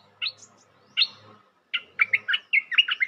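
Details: Trapping lure of a bulbul: two separate sharp chirps, then a fast bubbling series of warbled notes rising and falling. A faint low hum sits underneath.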